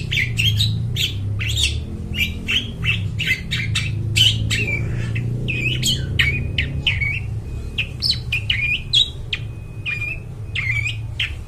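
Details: Long-tailed shrike in vigorous, ringing song for luring forest birds: a dense, rambling stream of chattering chips, twangy upslurred notes and buzzy bursts, over a constant low hum.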